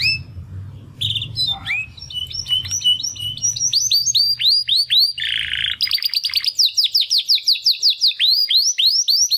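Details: Two Timbrado canary brothers, born in the second breeding round of 2020, sing in early practice following their first molt. Mixed chirps give way to a long run of rapid, repeated, downward-sweeping whistled notes with a short buzzy trill in between.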